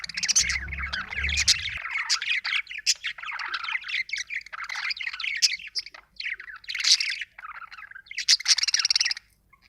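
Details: Budgie chirping loudly in a nonstop scratchy warble, with rapid squeaky notes and occasional brighter high bursts.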